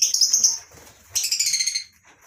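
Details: In a mini colony aviary on a lovebird breeding farm in the morning, two loud, shrill, slightly buzzy screeches follow each other, each lasting about half a second or more.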